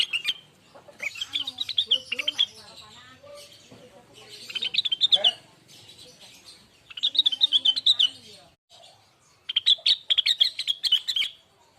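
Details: Lesser green leafbird singing as a lure to stimulate other birds: four separate bursts of rapid, high twittering and warbling, each lasting one to two seconds, with fainter lower notes between phrases.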